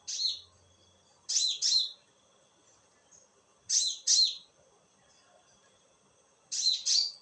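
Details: Night calling by a konin bird: paired, scratchy high notes dropping in pitch, each pair separated by a couple of seconds of near silence.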